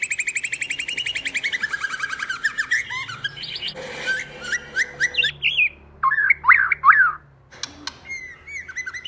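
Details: White-rumped shama, a female used as a lure bird, sings a long descending trilled whistle, then clicks and sharp chirps, ending with short downslurred whistled phrases.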